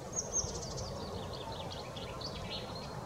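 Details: Common chaffinch in song, 6 April 2021: a couple of sharp high notes, then a fainter stream of chirpy trilled notes drifting lower, set against steady low-pitched background noise.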